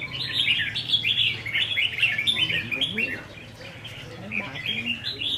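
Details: Red-whiskered bulbuls, caged and matched against each other in a singing-contest training session on 15 May 2021, pour out fast, rapidly repeated chirpy notes with a low hum and faint talk behind.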